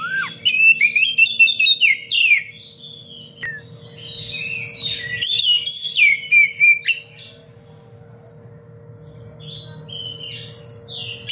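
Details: Oriental magpie-robin giving a tight, sharp 'cengkok rapat pedas' training song for other birds: a loud opening of rapid buzzy chatter and whistles, another dense burst midway, then softer scattered whistled phrases, with a constant low hum.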